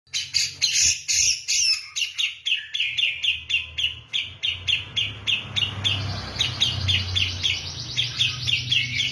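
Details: Javan grey-cheeked bulbul singing persistently in a style likened to kapas tembak: rapid, buzzy chattering notes repeated several times a second in a dense, uneven run, with a low rumbling hum underneath, loudest toward the end.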